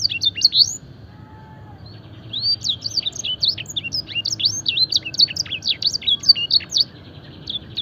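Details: Fancy canary in a song-training recording, singing a luxurious gacor song filled with blackthroat and edel sanger phrases: a brief opening burst, a pause, then a long, rapid run of high, sharply slurred chirps.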